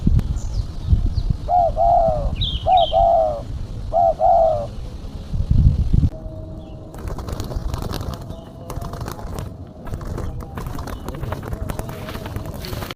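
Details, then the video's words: Female spotted dove call used as a lure to attract other birds: three short bursts of soft, wavering coos in quick succession early on, a few faint high chirps, then a long stretch of rumbling, vehicle-like noise with no further cooing. "Suara burung tekukur betina /pikat tekukur betina"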